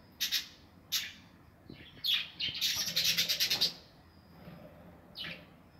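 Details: Captive budgerigars nesting in an aviary, 2020: isolated sharp chirps, then a rapid run of rattling, evenly repeated notes in mid-clip before single chirps return.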